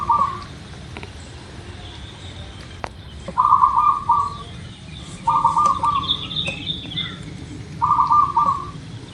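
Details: Local zebra dove, used as a lure to get birds singing quickly: four short trilled, bubbling coo phrases, each about half a second, spaced irregularly. Faint higher chirps from another bird and a steady low background hum are also present.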